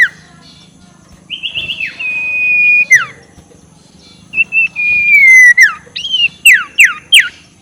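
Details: Ashy tailorbird calling ngekek to stir up rivals: long steady whistles that drop away at the end, followed by a quick string of looping, sharply falling notes.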